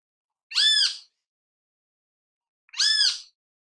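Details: ['Great kiskadee in natural habitat: two loud, harsh, arched squawks about two seconds apart in otherwise near silence.']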